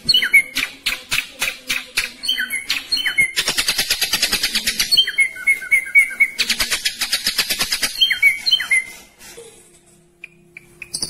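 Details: Ashy drongo in a cage with a rapid "speed rapat" song: separate sharp chips and whistled slurs, two long fast buzzing rolls, and repeated clear whistles, fading to faint high notes at the end.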